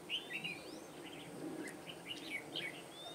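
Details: Red-whiskered bulbul heard while birds were being trapped on 21 March 2017. Quick run of bright chirping notes, then short twittering phrases at irregular intervals, with a faint thin whistle and soft background hiss.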